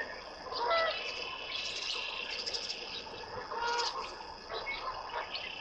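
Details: A pair of sandhill cranes calling on waking at their night roost on a cold April morning in northwest Colorado, while preening: many overlapping rolling, trumpeting rattles swelling and fading together, with no pause between callers.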